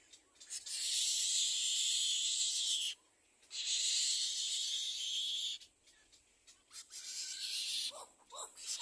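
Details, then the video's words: Little egret chick at its second nest crying to its parents for food: two long, harsh, hissing rasps of about two and a half seconds each, then shorter broken scratchy bursts with faint lower notes. "Baby bird little egre is crying for food for his parents (2nd nest)"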